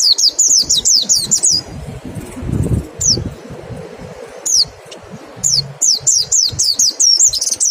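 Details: White-eye in 'nembak' style, a lure to prompt singing: a quick series of about eight high falling whistles, a quiet gap with a soft rustle, then another rapid run of thin downslurred notes.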